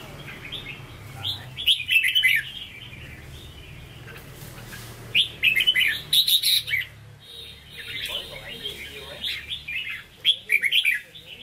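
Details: Hue-voiced red-whiskered bulbul, a caged bird, sings repeated bursts of rich, fast, chattering whistles, each phrase about a second long. Quieter warbling fills the gaps, over a low background hum.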